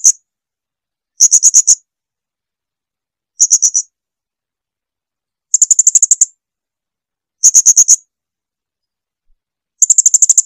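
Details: Blue-crowned hanging parrot, clear recording for tutoring kept birds: short, very high-pitched bursts of four to nine quick ticking notes, repeated about every two seconds against silence.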